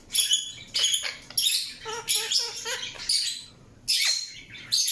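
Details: Indian ringneck parakeet giving loud, broadband squawky chirps in uneven bursts, with a short run of softer, lower pulsed notes in the middle and brief pauses between calls.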